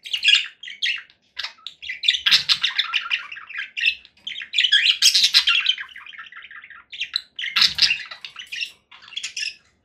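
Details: Loud chattering from conure parakeets, dense runs of scratchy chirps and squawks blending into longer noisy phrases, with two brief low thumps.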